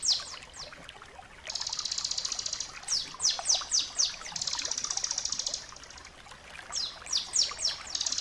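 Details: Tutor recording of bar-winged prinia song for training other birds to sing. Long shimmering high-pitched buzzy trills are broken by quick series of sharp descending whistled notes.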